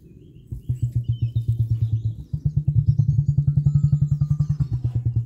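A female emu drums: a deep, throbbing series of low thumps, about seven or eight a second, that swells and carries on steadily. Faint chirps of small birds sound above.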